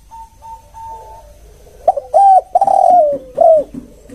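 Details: Spotted dove giving the 'kuk one' coo style, used as a special lure sound. Soft thin tones at first, then loud, hoarse, clipped cooing notes in a short uneven series of about five, some slurring downward, recorded indoors.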